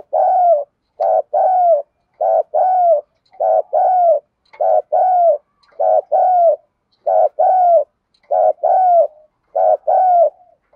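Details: Female spotted dove used as a decoy, calling to lure and provoke males; steady paired coos, a short note then a longer falling one, repeated about every second with clean silence between.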